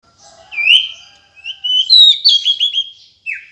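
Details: Female decu calling with a thin, high whistled upslurred note, a pause, then a run of quick chirpy whistles descending in steps, ending with a short burst of high chirps; no other sounds present.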